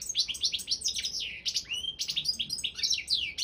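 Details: European goldfinch of the Balkan subspecies, a competition entry in a world goldfinch song championship, singing fast liquid twittering phrases of rising and falling whistles and buzzy notes, tightly packed and continuous.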